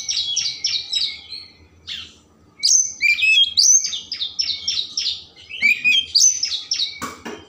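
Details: Oriental magpie-robin delivering a full, varied song meant to provoke emotion and tail spreading: quick repeated whistled and slurred notes in dense sequences, a brief gap, then energetic varied phrases, ending with a sharp click-like noise.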